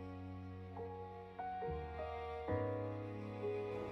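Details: Soft, slow instrumental music with sustained mid-pitched notes and gentle chord changes; no animal voices.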